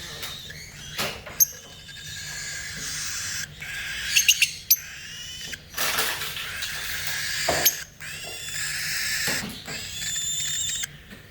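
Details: A baby Lutino cockatiel makes "dinosaur" sounds: harsh, hissing rasps in bursts, with a few sharp clicks between them.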